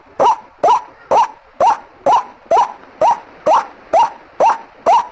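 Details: Eleven loud, nasal, rising croaks from a white-breasted waterhen, played as a lure, spaced evenly just under half a second apart.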